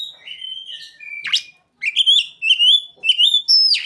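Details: Oriental magpie-robin singing with imitated ciblek (Bar-winged Prinia) and sogon phrases: smooth descending whistles, a sharp buzzy burst, then quick bright chattering notes with rising upward slurs.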